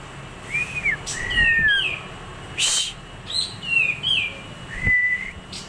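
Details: White-rumped shama song for tutoring birds: clear whistled slurs, some rising and some falling, mixed with sharp clicks and scratchy notes, ending on a steady whistle over constant background hiss.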